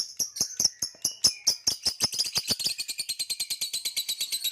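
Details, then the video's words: Hybrid male Nyasa lovebird, green with purple rump, singing and chirping: a run of sharp dry clicks that speeds up into rapid, evenly spaced high ticks and chirps. "Green Hybrid and Lilianae Nyasa Lovebird Singing & Chirping Sounds"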